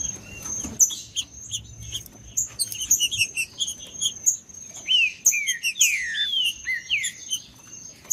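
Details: Green-winged saltator, macheando song for stirring other birds to sing: busy high chirps and ticks, then from about five seconds loud sweeping whistles that dip and rise, over a persistent high whine.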